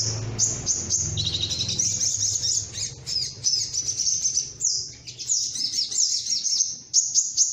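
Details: Sunbird lure recording, known locally as sogok ontong, played to draw birds down: rapid, very high twittering in dense bursts, with short pauses, over a faint low hum.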